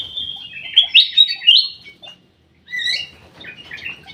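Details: Black-crested bulbul kept in an aviary, known as cucak emas or kutilang emas: a long run of clear whistles with several loud accented notes, a short silence, then a softer warbled phrase.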